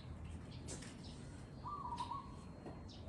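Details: A single quick rolling trill from a zebra dove, recorded live, rising slightly then flattening, with faint rustles and low hum around it.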